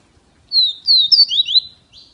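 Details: Kept Double-collared seedeater from Feira de Santana, Brazil, singing a quick phrase of high, clear slurred whistles sweeping down and up, some notes overlapping, lasting about a second and a quarter.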